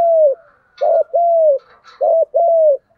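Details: Cooing spotted dove, 'thúc gù' style, meant to make other doves coo along: a long level coo, then two phrases of a quick stuttered note leading into a sustained arched coo.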